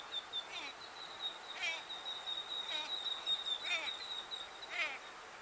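A Grey-headed Swamphen gives short, harsh, nasal bursts about once a second over a steady high insect-like whine.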